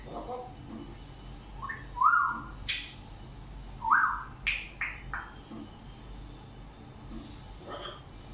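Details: African grey parrot talking, producing short whistled tones that rise and hold steady, mixed with clipped, speech-like bursts repeated at irregular intervals, then quieter mumbling toward the end.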